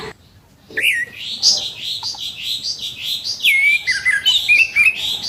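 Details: Morning song of an orange-headed thrush with a harsh voice, meant to make untrained birds sing sooner: a steady run of buzzy, rasping notes repeated about four times a second, broken by clear whistled slides near the end.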